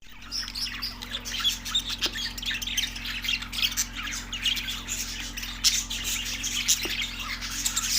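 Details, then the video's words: Budgerigars chirping, recorded March 14, 2024: dense overlapping high chatter and squawks throughout, with a steady low hum underneath. "budgies chirping sound effect"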